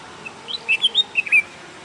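A bulbul gives a quick run of five or six bright, whistled chirps between two and four kilohertz, rising and falling, over faint background hiss.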